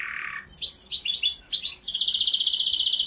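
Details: Mosaic canary singing quick, separate warbled notes that run straight into a long, even, very rapid trill of repeated high notes.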